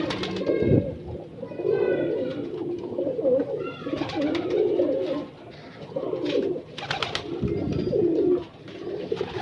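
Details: Breeder pigeons cooing almost without pause: overlapping low, rolling coo phrases with scattered clicks, taps and a few higher chirps.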